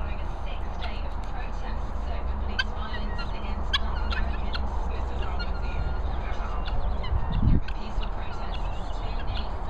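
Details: Guinea fowl, hungry, giving rapid scratchy clicks and short strained squeaks in an uneven flurry, a low hooting note near the end, with steady deep wind noise throughout.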